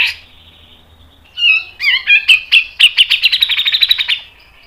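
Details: Grey-cheeked bulbul (cucak jenggot) song used as a training and lure recording: a few bright, slurred whistles, then a fast, tight run of sharp chipping notes that speeds up for about two seconds.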